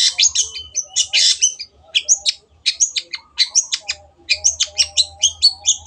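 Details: Lively chattering of a Long-tailed shrike: clusters of harsh, high scratchy notes and quick trills in bursts, a short pause, then a fast regular run of chirps.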